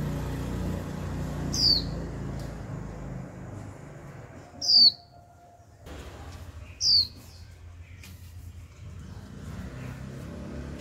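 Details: Caged young female Japanese white-eye sounding her 'chíu' call to get males singing. Three high, thin descending whistles spaced about two to three seconds apart, set against a noticeable low background rumble that drops away midway.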